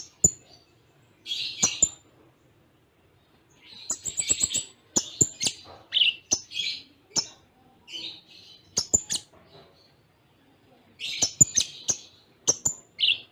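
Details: Konin (Van Hasselt's sunbird) song, Cililin-filled, close-spaced: bursts of high squeaky chirps and buzzy notes mixed with sharp clicking ticks, short quiet gaps between bursts.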